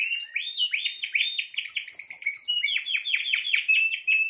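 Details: Spanish timbrado canary in song, chains of quick downslurred notes repeated in bursts, with a higher whistled trill running above.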